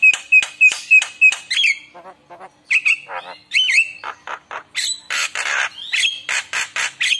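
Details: Lure song of a Javan myna, used to draw other mynas into singing. Repeated clear whistled notes open into a varied medley of harsh squawks, rattles and buzzy bursts, delivered rapidly and loudly.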